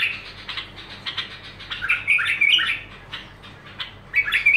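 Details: Bulbul in unbroken song, mixing chattering notes with brighter liquid warbles that swell midway and again at the end, over a faint low hum.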